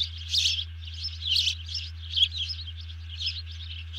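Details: Bald eagle alerting just after grabbing a fish as another eagle hits the deck, 31 July 2020, early morning; a few sharp, high chitters, with louder bursts near the start and middle, against a low hum.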